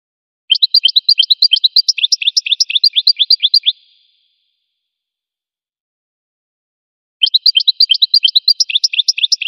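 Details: Goldfinch song: a fast, rhythmic run of high twittering notes lasting about three seconds, followed by a long silence, then the same rapid chattering trill returns. No other sounds.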